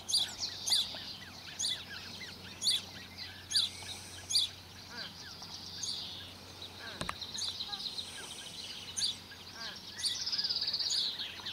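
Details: At Lake Benmore in Mackenzie Country, a pair of Australasian crested grebes feeds their two 16-day-old chicks. Rapid high squeaky piping notes come in bursts, plus a sharp click near the middle and a low background hum.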